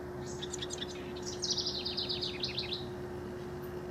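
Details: House wren, one of rival singers, recorded between 12 and 24 June 2015: a bubbly, rapid burst of high chattering notes that tumble downward in a fast descending series, over steady low background hum.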